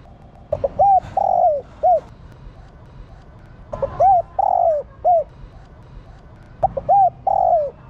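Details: Female spotted dove calling to stimulate males to coo, kept as a cage bird in Vietnam; a phrase of short, hooked coos followed by a drawn-out, falling hoot, repeated three times about every three seconds.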